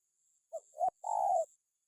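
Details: Spotted dove giving a call to intimidate a rival: a short soft note, a rising two-part coo, then a long, level, burry coo.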